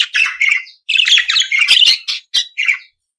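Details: Budgerigar chattering in quick succession, grating warbled notes in bursts of about half a second, ending with two short chirps and a final scratchy phrase.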